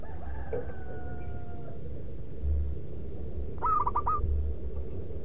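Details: A drawn-out, steady call from another bird opens, then a local zebra dove used for luring gives one loud rhythmic manggung phrase of rapid, wavering coo notes, with low rumbling noise throughout.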